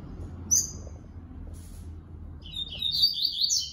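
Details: Yellow-bellied seedeater (Coleiro Baiano) male, paired with his female during 2022 breeding management: a single sharp high chirp, then after a pause a quick warbled phrase of rapid high notes rising and falling, over a low steady hum.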